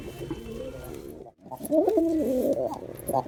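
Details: Male Girabaj pigeon in performance, a soft warbling coo followed after a brief gap by a louder, wavering rolling coo lasting over a second, low and throaty.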